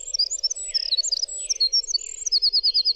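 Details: Short excerpt of Winter wren song, a jumble of very high slurred notes ending in a rapid repeated trill, with a constant low hum behind.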